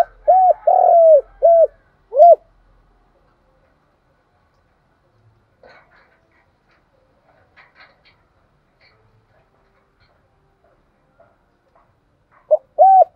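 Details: Spotted dove voice used to train decoy birds: a burst of three or four low, rounded coos at the start, long silence, then one more coo near the end.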